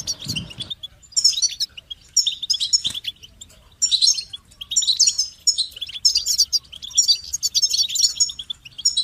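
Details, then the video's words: Goldfinch singing a long, lively medley of twittering, chirping and buzzy phrases almost without pause. A brief low thud sounds at the very start. "Amplifying the Goldfinch's Voice"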